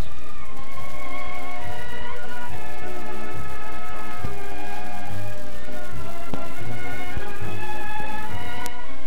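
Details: Sustained instrumental music with layered string-like tones over a low rumble; no animal calls stand out.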